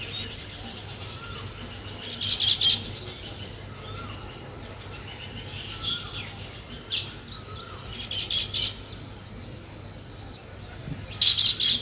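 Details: Weaver birds building a nest chirp in short bursts of high, buzzy notes, over a steady high insect-like hum and faint low whistles.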